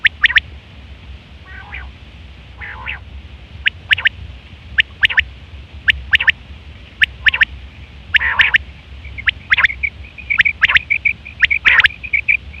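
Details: Female quail sounds intended to attract quails for trapping: soft, raspy nasal notes early, then sharp ticks in bunches about once a second, ending in a rapid run of high, thin tonal notes.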